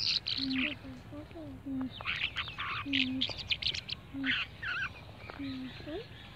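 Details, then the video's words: Birds calling: a series of low, short hooting notes, some sliding downward, mixed with loud higher harsh chattering bursts from other birds, over steady background noise. "birds nice sound"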